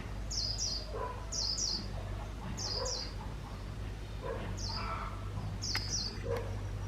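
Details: A caged decoy white-eye used for bird trapping in Vietnam sings quick high twittering phrases in paired bursts roughly every second or so, over a steady low hum and some lower chirps.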